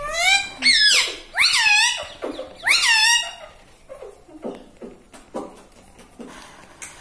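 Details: Indoor pet ringneck parrot said to say "mummy papa"; several loud, downward-curving harmonic squeaky syllables in the first three seconds, then softer clicks and faint sounds.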